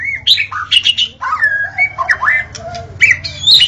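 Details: Song of a white-rumped shama at dawn, used to lure shamas; loud varied whistles, sweeping upslurs and downslurs mixed with harsher scratchy notes throughout.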